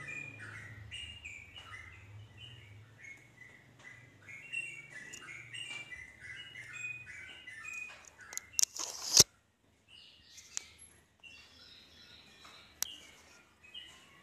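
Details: Yellow-vented bulbul song used to prompt quiet bulbuls into 'ropel' singing; a run of quick chattering whistled notes for about eight seconds, then a loud crackling burst and brief silence, followed by sparser notes.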